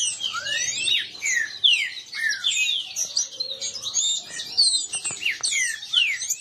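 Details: Several green-winged saltators, captive birds competing and disputing, sing over one another in a dense, continuous jumble of loud, clear whistled slurs, rising and falling, with almost no pause.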